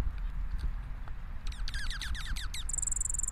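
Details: Several very vocal Dark-eyed Juncos recorded on National Bird Day: about eight quick down-slurred notes, then a very high, rapid, even trill, over a steady low rumble.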